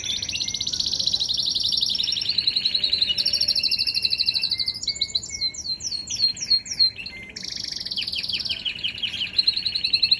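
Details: Canary song made of varied high tours: fast rolled trills, short repeated whistles, and a burst of sharp downward-sweeping chirps midway, flowing almost without break.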